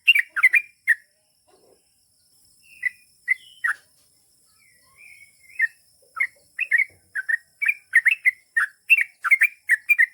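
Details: Yellow-vented bulbul called trucukan, singing gacor long ropel song to make trucuk reply: scattered chirps and drawn-out whistles early, building to dense rapid bubbly chirps in the second half.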